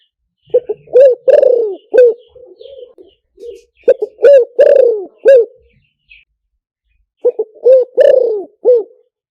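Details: Luring call of a spotted dove for speaker playback: three repeated cooing phrases, each with short staccato notes, a strong rising coo, a long sliding falling coo and a short final coo, with soft low coos linking them.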